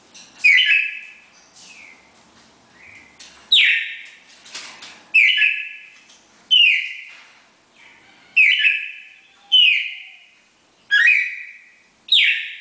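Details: Pair of red-crested cardinals singing the classic four-note Bagé style: loud, clear whistled notes that start high and slide down, then hold level, repeated roughly every one to one and a half seconds, with softer notes between.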